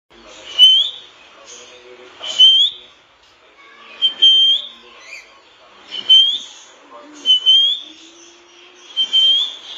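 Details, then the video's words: A lory gives shrill, high whistled notes with quick rising slurs, in bursts roughly every two seconds, with softer chatter between. "beautiful lorry bird singing"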